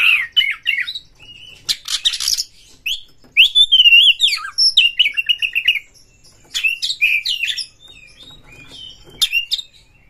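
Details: Oriental magpie-robin (kacer) singing, said to be searching for a rival to fight: a rich, varied run of warbled whistles, fast trills, harsh rasps and slurred notes over ten seconds, with short pauses.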